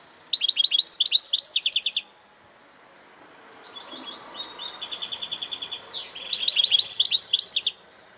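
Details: European goldfinch song: loud rapid bursts of high, metallic twittering notes at start and end, with a quieter trilled passage and a downward slurred note between them.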